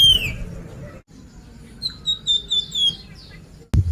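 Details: Flamboyan, the Sunda pied fantail, heard as a lure for other birds to sing: one falling whistle, silence, then a quick series of short sweet whistles dropping gradually, ending in a click.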